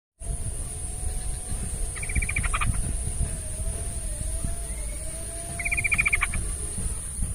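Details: Yellow-vented bulbul, played as therapy to prompt a quiet bird to sing: two short bursts of rapid, chattering repeated notes about four seconds apart, over a steady high electronic whine and low rumbling background noise.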